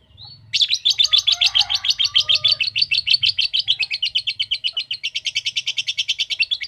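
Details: Lovebird giving a long ngekek trill: after a short whistle, a fast run of harsh chattering notes pours out steadily for about six seconds, with a faint low hum underneath.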